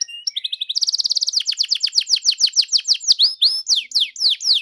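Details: Canary song meant to set a caged canary singing: short chirps, then a very rapid rattling roll that slows into loud repeated downslurred whistles at a steady pace.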